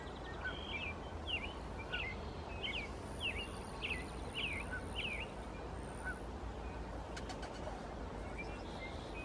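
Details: American robin singing at the Squamish River estuary, British Columbia: a run of about seven short, clear whistled phrases, each rising and falling, delivered in quick succession, over a constant rushing background noise with a thin high steady tone.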